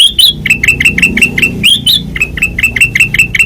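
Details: Ruby-throated bulbul (kutilang emas), white-eyed form, singing in loud, clear ngeplong style: rapid run of sharp chirps, most level, a few rising and upslurred, repeated about four times a second, with a low hum beneath.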